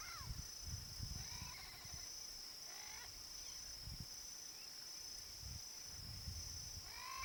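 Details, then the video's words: A wild Yellow-faced Parrot (Alipiopsitta xanthops) in its natural Cerrado habitat in Brazil gives a few short, rasping, slightly rising squawks a second or two apart, over a steady high insect drone and low wind rumbles. "PAPAGAIO-GALEGO canto (ALIPIOPSITTA XANTHOPS), YELLOW-FACED PARROT"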